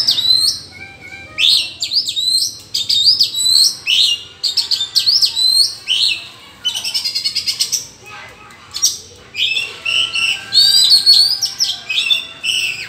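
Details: Rival Oriental magpie-robins in a forest sing against each other: a long run of loud, high, varied phrases with swooping whistles, sharp notes and a brief buzzy rattle midway.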